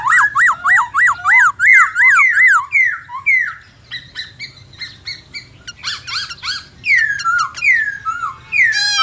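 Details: White-browed laughingthrush singing in the many-voiced 'forest voice' style: a rapid chain of looping whistled notes, then varied sliding whistles, harsh buzzy bursts and long downward slurs.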